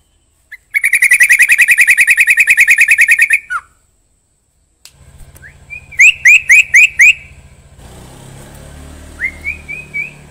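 A Yellow-vented Bulbul sings a rapid, even chatter of about twenty bright notes, then five sharp rising whistles, with low hum and hiss behind.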